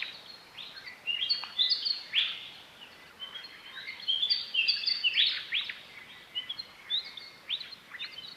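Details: Several Willie Wagtails in a dawn chorus in Outback Australia, calling in the dark, counter-singing with the same regional-dialect song: bright, twittering, high-pitched phrases traded back and forth between neighbours, with soft background hiss.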